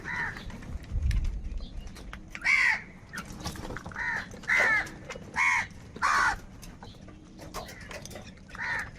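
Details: Crows fighting over food, calling angrily: about ten harsh caws spread over nine seconds, irregularly spaced, some louder and nearer, with a low thud early on.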